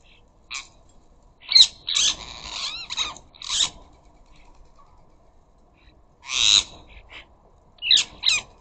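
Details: Ring-necked parakeets from a flock of up to a dozen at a bird feeder, noisy harsh squawks and chattering bursts rising and falling in clusters, with loud overlapping calls near the start and again toward the end, quiet background between.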